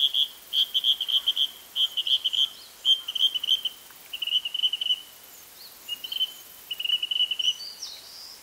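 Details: Song of a male Narcissus flycatcher, Hokkaido, July 2014: quick clusters of bright whistled notes in short bursts, separated by brief gaps, with a faint higher call near the end.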